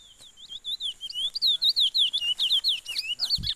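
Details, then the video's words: Chestnut-bellied seed finch (curió) singing: a rapid run of clear whistled and slurred notes between roughly 3 and 5k, some paired or rising and falling, delivered almost continuously, with a faint background hiss and a brief low thump at the end. "Curió do lucas"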